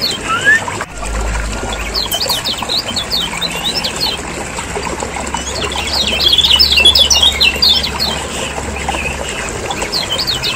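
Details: Lemon-bellied white-eyes of Lombok in noisy lure chatter for caged birds: rapid, uneven high chips about four per second, in two bursts, over a low droning hum.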